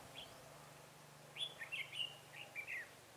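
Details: Red-whiskered bulbul of the crested 'mào lân' type used as a decoy, singing to lure wild bulbuls into a trap on 23 October 2017: a quiet lead note, then a quick run of bright, warbled, whistled phrases over a low steady hum.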